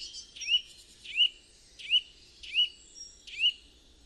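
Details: Eurasian nuthatch, a woodland bird that also visits gardens, sings a steady series of clear, upward-sweeping whistled notes, about one every 0.7 seconds, with faint background hiss.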